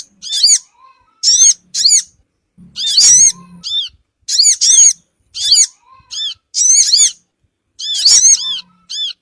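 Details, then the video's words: Lure sound of the crimson sunbird for drawing small birds in. Rapid series of harsh, rasping arched chirps in clusters of two or three, repeated steadily, with a faint low hum and a soft mid tone in the gaps. "suara pikat burung Sogon ampuh cepat ngumpul"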